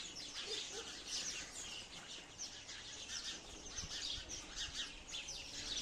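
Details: Several sparrows twittering together in a steady chatter of short, sharp, high chirps, with no real pauses, over faint background hiss.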